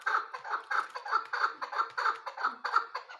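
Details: Chukar partridge voice used as a hunting sound: a steady run of loud, rough chuck notes, roughly two per second, evenly paced and strong throughout.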